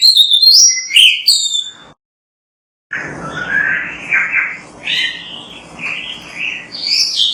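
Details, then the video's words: Oriental magpie-robin song for training another bird to sing: loud high whistles, a short silent break, then softer varied whistled phrases with faint background hiss. "MASTERAN BURUNG KACER GACOR BERSUARA MANTAB"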